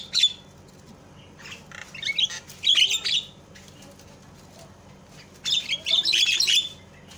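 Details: Javan myna calls used to make other mynas call; scattered harsh squawks and scratchy notes with quiet stretches between, ending in a louder bout of rasping chatter.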